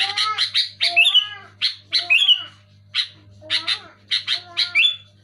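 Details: Sooty-headed bulbul singing loudly, used to coax silent caged bulbuls into song: varied, bubbly phrases of chirps mixed with fluty, curving whistled notes, delivered in quick bursts with brief pauses.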